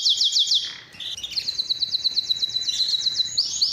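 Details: Canary singing to draw females for mating and as a training recording for mute birds; a quick burst of looping notes, a brief lull, then a steady tour of clipped descending chirps about four per second.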